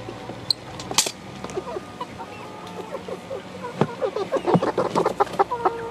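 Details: Eleven-week-old chickens of mixed breeds in a play pen making soft clucks and short chirping calls, scattered at first, then busier and more overlapping toward the end, with rustling and a few sharp knocks.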